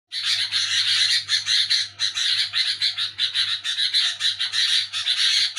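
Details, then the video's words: Sooty-headed bulbul calling noisily at night while people sleep: harsh, raspy chattering bursts in rapid runs, almost continuous with brief pauses, over a steady low hum. "Burung Kutilang Bunyi Nyerecet ribut di malam Hari"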